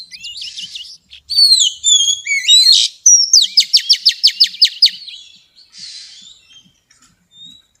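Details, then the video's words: Oriental magpie-robin female singing in xùy style to rouse males: varied sliding whistles lead into a fast rhythmic string of about a dozen crisp repeated notes, then a soft burst and quiet pause. "tiếng choè than mái xùy hót kích trống cực chuẩn"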